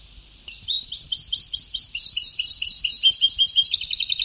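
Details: Old recording of European goldfinch song in the Sebtawi style: a continuous flow of high, twisting twittered notes, rising and falling quickly, growing busier toward the end.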